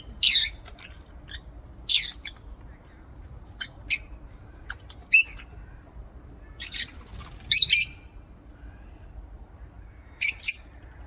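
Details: Aviary lovebirds giving loud, shrill squawking chirps, single or doubled, repeated every one to two seconds with softer ticking notes between, against a quiet low hum.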